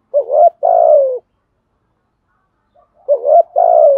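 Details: Decoy spotted dove cooing: two coo phrases, each a short rising note then a longer, slightly falling, wavering coo, separated by a pause of about two seconds; no other sounds.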